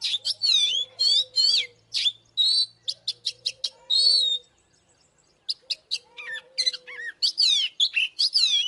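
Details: Fighting song of an oriental magpie-robin, meant to stir rival males: rapid sweeping whistles and sharp clicks in dense bursts, a brief pause midway, then renewed twisting whistled notes.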